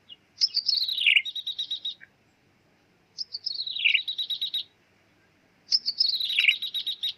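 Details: Lure recording for trapping a bar-winged prinia, 'meong' type. Three separate phrases, each a descending slurred whistle followed by a quick rattling trill, with quiet gaps of about a second between them.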